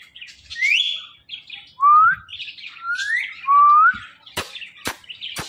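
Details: Pet green parrot, a keen talker, giving a run of quick upward-sliding whistles mixed with soft chatter, followed by three sharp clicks.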